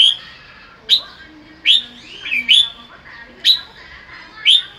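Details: Afternoon sunbathing Red-whiskered bulbul giving sharp, bright notes that sweep steeply up and down, repeated roughly once a second, one closely paired, against a hushed background.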